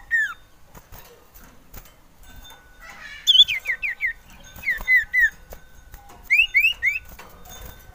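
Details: Male common iora song used as a lure, said to be wanting to mate: short clear whistled notes descending, given in quick series of four to five slurred phrases, with faint background hum.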